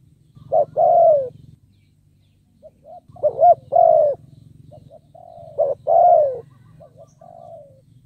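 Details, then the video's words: Spotted dove used as a caged decoy to lure wild doves; three bursts of coos, each a quick note then a loud falling coo, separated by quieter gaps and a low buzzing hum. "Cu Gáy Mồi Cây 5tr THÚC GÙ KÈM BỔI | Cu Gáy Kích Bổi Nhanh Nổi"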